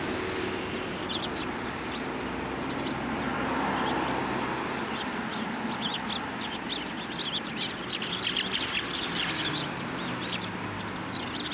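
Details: Eurasian tree sparrows at a Tenmangu shrine on 9 December 2023, flying onto a hand to be fed; scattered high, short chirps throughout over a steady broadband hiss and rumble.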